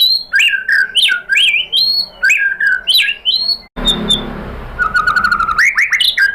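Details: White-rumped shama (murai batu), a kept songbird, played to provoke other shamas; loud swooping whistled phrases repeated in a series, a break, then a level buzzy trill and rising notes.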